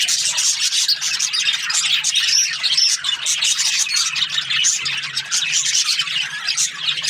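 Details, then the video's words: Aviary budgerigars in breeding pairs chirp and warble in a lively overlapping chorus, short whistled phrases mixed with rapid scratchy twitters at steady volume. "Happy budgie chirping sounds"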